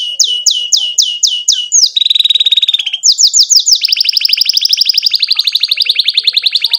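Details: Canary in full, long 'gacor' song with 'cuit cuit' notes and rolling 'ngerol' trills, played to teach young canaries to sing: a series of swooping whistled notes, then a steady buzzy trill, then fast rising notes into a long rapid rattle.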